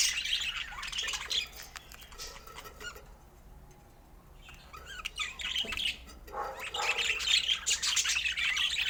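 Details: Feeding budgerigars: bursts of high twittering and chirps, fading to a quiet lull of several seconds, then returning louder with busy overlapping warbles.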